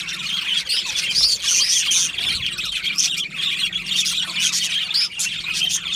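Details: Many budgerigars singing and chirping in an aviary colony, with overlapping high warbles, sharp whistled notes and occasional squawks in an unbroken chorus.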